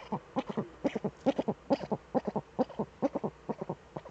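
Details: A pair of Eurasian eagle-owls in their nest hollow seen on webcam, 6 March 2013; regular run of brief hoarse clucks, often doubled, about two per second, even and rhythmic.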